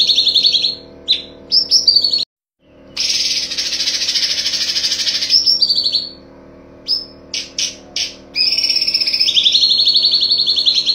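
A bulbul delivers a high, rapid chattering run of sharp chirps and buzzy trills in long bursts, broken by brief pauses and one abrupt cut.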